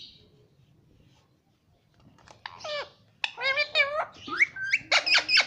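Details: Talking rose-ringed parakeet kept as a pet, quiet at first, then a fast string of chattering, speech-like harmonic syllables and squeaks in a small room.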